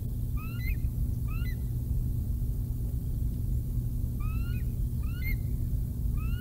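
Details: Bald eagle calls at the Decorah North nest at breakfast time, 6:45 am, 16 July 2021. An adult delivers a fish to the eaglets. Repeated high rising squeaky whistles, each followed by a short chirp, come about every second beneath a loud, constant low rumble.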